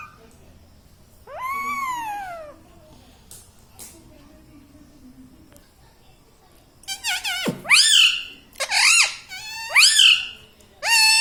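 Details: Pet ringneck parrot, a green parrot kept indoors, talking; its words are said to include "mummy" and "radhe radhe". A harsh, speech-like sweeping phrase comes early, then a run of loud, buzzy rising-and-falling squawks near the end.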